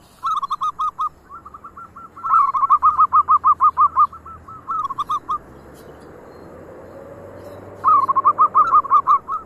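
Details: Local zebra doves in lively song, one bird prompting the rest to join: repeated phrases of quick, soft, bouncing coos, bursts starting and stopping, with overlapping voices building into rapid cooing runs between quieter pauses.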